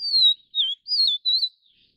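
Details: Taiwan's endemic Vivid Niltava subspecies, Niltava vivida vivida, whistling one phrase of four notes: a long falling whistle, a short dipping note, a wavering slur and a final rising-falling note, all high-pitched.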